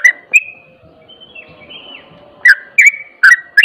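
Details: Sooty-headed bulbul ropel song meant to provoke other bulbuls: two whistled notes, a quieter thin warbling pause, then a burst of quick, liquid slurred notes, with low hum and faint background noise.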